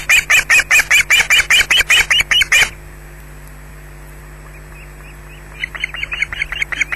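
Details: Loud, harsh squawking from an osprey during an attack at a Scottish nest: a rapid, even burst of about fifteen piercing notes, then a pause of near silence before a softer, quicker run of calls resumes.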